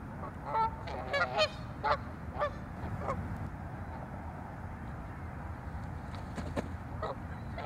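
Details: Several Canada geese squabbling over territory at a Chicago North Side lake give a rapid cluster of nasal honks in the first three seconds, then fainter scattered calls fade into ambient noise.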